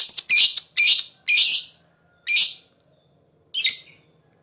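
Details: Lovebird sound used as therapy to excite rival lovebirds: a quick cluster of harsh, piercing squawks, then single bursts spaced farther apart.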